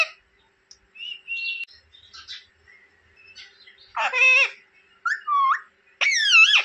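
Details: Talking rose-ringed parakeet kept as a pet in India, starting with quiet whistles and murmurs, then three loud separate harmonic squawk-like words spaced about a second apart.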